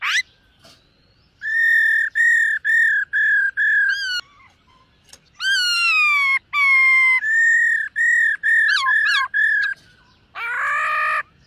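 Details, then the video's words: Silver-eared laughingthrush during morning song practice: long sequences of evenly repeated level whistles, a gliding drawn-out note, a few upward-swept calls, and a harsh rasping burst near the end. "Khướu BẠC MÁ hót MÚA luyện giọng . Khướu hót sáng luyện giọng kích bổi"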